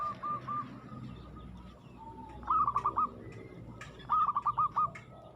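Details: Zebra dove, local bird, singing aggressively: two clear bursts of four or five quick rolling coos stand out over a busier, noisier background with faint distant cooing.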